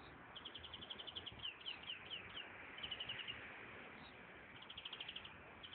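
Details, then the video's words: European greenfinch singing in nature: faint, rapid, high trills repeated in short runs against steady heavy background noise. "Doğada Öten Florya, Florya Sesi"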